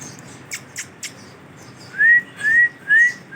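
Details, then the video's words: Male ringneck parrot kept as a pet, dancing: three sharp clicks first, then three loud rising whistles, each about a quarter second long, spaced roughly half a second apart. "Dancing And funny sounds of ringneck Male parrot"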